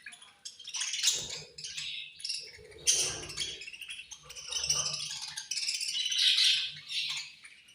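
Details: Dense budgerigar chatter at feeding time, angry in tone: continuous buzzy, rattling chirps in overlapping waves, with crackling and rustling throughout.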